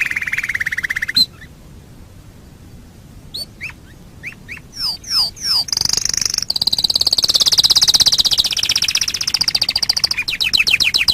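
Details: Canary singing as a training master: a buzzy roll breaks off into silence, then isolated hooked notes quicken, leading into a long high shimmering trill and a final run of rapid down-slurred notes.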